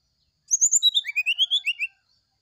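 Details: Morning sulingan song of a brown-chested jungle flycatcher. High whistled notes slide downward, then a string of rising, slurred, flute-like phrases follows, about twelve notes in under two seconds. The background is silent.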